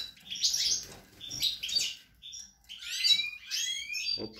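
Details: Caged European goldfinch singing in a breeding setup on 28 March 2020, with young recently hatched: bursts of bright twittering and rising whistled notes alternate with short pauses, and a faint voice sounds at the end.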